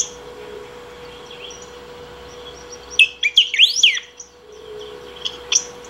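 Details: Saffron finch singing on and on to call or train: near-quiet start, then a quick loud burst of swooping whistled notes around the middle, ending with two brief chirps; steady low hum throughout.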